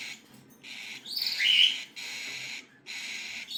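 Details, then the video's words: Cockatiel chicks begging: harsh, wheezy, noisy hissing calls in long bursts, with one brighter rising squeal in the middle, separated by short pauses. "صغار عصافير الكوكتيل"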